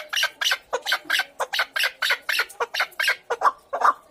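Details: A chukar partridge repeats coarse, chattering chuck calls, roughly three per second, with the last few notes becoming a bit more spaced and sharper. The background is quiet.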